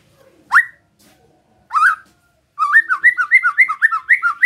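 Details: White-rumped shama song intended to provoke rival shamas: two upslurred whistles spaced apart, then a quick regular series of looping whistled notes repeated about five times per second.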